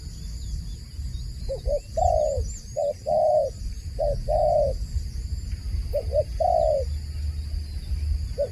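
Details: Dove repeating a low coo phrase, a quick double note followed by a fuller sustained note, four times in succession, with a steady high whine and faint low rumble behind.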